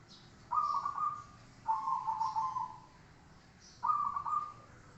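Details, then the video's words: Zebra dove, master recording for song training. Three rolling coo phrases each last about a second, with the middle one longer and falling slightly. A soft hiss runs behind them. "masteran suara burung Perkutut"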